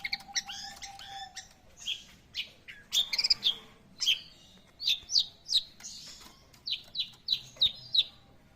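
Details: Long-tailed shrike in full, lively song: a fast run of varied sharp chirps and high whistled notes, many sweeping downward, given in quick bursts roughly every half second, with a faint steady hum at the start.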